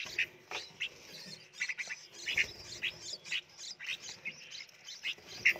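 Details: Red-whiskered bulbul nestlings in a Phetchaburi, Thailand nursery box beg while hand-fed: a busy chorus of high, sharp chirps and short twitters from several chicks, nearly continuous for the whole stretch.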